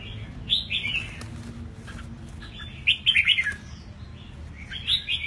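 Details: Freshly moulted caged red-whiskered bulbul, eight months old, sings three lively warbling phrases of liquid, up-and-down whistles, with a brief rustle between them and a low background hum.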